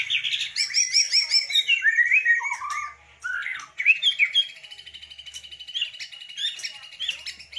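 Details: Rich white-rumped shama song, the bird known for bowing while singing and luxurious filler notes: fast descending warbled runs and looping whistles, then a long rapid trill of repeated ticking notes toward the end.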